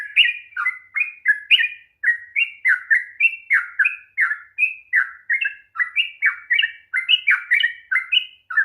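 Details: Energetic 'ropel panjang' song of a sooty-headed bulbul, used to provoke an unwilling bird to sing; dense series of about twenty-five fluty, downslurred and upslurred notes with hardly a gap.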